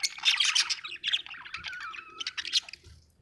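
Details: Budgie chirping happily, an Australian bird, giving a dense burst of squeaky chirps, then a drawn-out falling warble, then a few more chirps.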